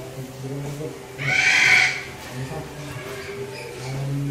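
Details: A pet Eclectus parrot (Eclectus roratus), while eating peanuts, gives one harsh, raspy squawk lasting under a second, with a person talking quietly in the background.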